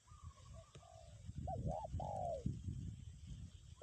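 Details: Spotted dove decoy bird in strong wind, calling kuk 1 style. A soft two-part hooked coo is followed by a long, level, slightly falling coo, with gusty wind rumbling beneath.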